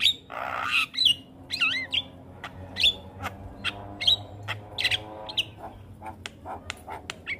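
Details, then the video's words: A Javan myna sings in chatty gacor style, as used to train young mynas, opening with a harsh burst, then curling double whistles, short piercing notes and scattered dry ticks that thin out toward the end. "Jalak Kebo Gacor Coba Ini Untuk Melatih Jalak Muda Jadi Gacor"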